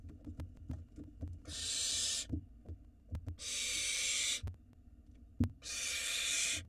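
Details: Barn owl nestlings on a nest camera in Israel, begging as the male brings food: three long harsh hissing screeches, each about a second long, with soft knocks and shuffling between them.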